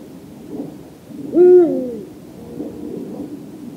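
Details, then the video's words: A Eurasian eagle-owl, a nocturnal hunter of German uplands, gives a single deep, resonant hoot that swells and falls away over about half a second, against a quiet, faintly rumbling night background. "Vogelstimmen: Der Uhu - Eagle owl - Bubo bubo"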